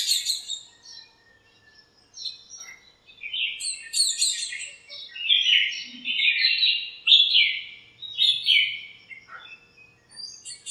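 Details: Birds chirping and fighting in a backyard lemon tree on a sunny morning; high sharp chirps leading into a series of louder, buzzy descending notes repeated about once a second.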